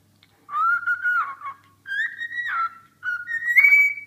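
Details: A cockatiel sings three long whistled notes, the first wavering and falling, the second steady, the last rising higher and ending bright, over a quiet hum.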